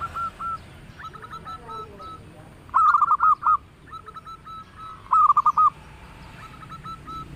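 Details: Local zebra dove with a sweet, active voice: two loud clipped phrases of rapid hooked coos about two and a half seconds apart, between softer trilling replies from other doves.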